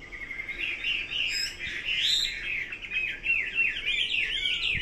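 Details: Fluid, warbling hwamei song of gliding whistles that swell and fade, ending in a brisk series of zigzagging up-and-down notes, clear against a quiet backdrop.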